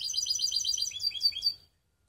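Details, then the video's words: Baster, a mixed canary kept in Skopje, delivers a rapid, high, trilled phrase of repeated sweeping notes that loosens into a few separate chirps and then stops, leaving silence. "Canary mixed best song"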